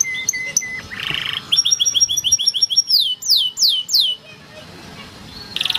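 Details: Yellow canary song with short whistled notes, a brief buzzy burst, then a fast high trill leading into several loud descending swoops, a quiet pause and a final rapid rattle.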